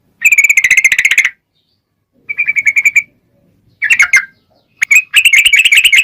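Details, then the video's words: Sooty-headed bulbul singing long rolling trills as a lure to provoke replies from other bulbuls: rapid buzzy trills of about a second each, separated by silences, with a slurred whistled phrase between. "SUARA trucukan gacor ROPEL PANJANG pancingan trucukan agar bunyi"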